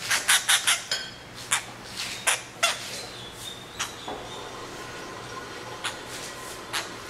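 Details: Hand-reared grey treepie chick about two months old begging during hand-feeding. Harsh, scratchy calls in a quick burst at first, then spaced out and softer, with light handling noises.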